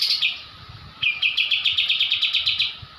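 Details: Short burst from a kapas tembak white-eye of Java, 'ngebrem' training song: a high whistled phrase, then a quick pulsed trill of about a dozen buzzy notes.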